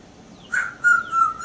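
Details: African grey parrot kept as a pet, out on the porch practicing with its owner. It whistles a steady, clear tone in three or four repeated pulses, each held briefly, with faint higher overtones and quiet background.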